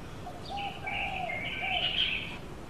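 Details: A female Asian koel recorded in Tainan, Taiwan, 13 June 2018, gives a harsh, high, rapid bubbling chatter lasting about two seconds, over a soft hiss of outdoor background noise.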